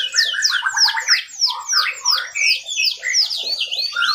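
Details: Canary song for tutoring cage birds, a quick run of repeated descending slurred notes about three per second, bright and high, with lower warbling underneath.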